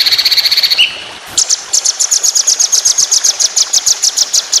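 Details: White-rumped shama training song in the fast long-burst tembakan panjang roll speed style: a high rattling trill, a brief pause, then a long even run of sharp, rapid repeated chips at a steady fast pace.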